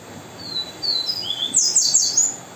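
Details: Variable seedeater song of the viviti type: a string of high, sliding whistled notes, each falling slightly, then a rapid buzzy, twittering flourish to close the phrase, with faint background hum.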